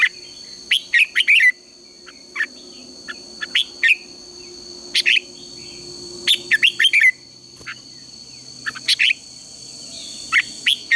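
Red-whiskered bulbul singing short bursts of bright, warbled chirps every second or two, over a steady high electronic hum.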